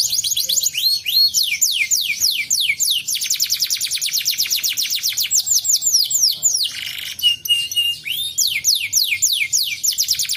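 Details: Canary song for prompting a lazy canary to sing: dense trains of fast, high descending whistles, rolling on for seconds at a time, interrupted by a short buzzy rasp before the rapid sweeps return.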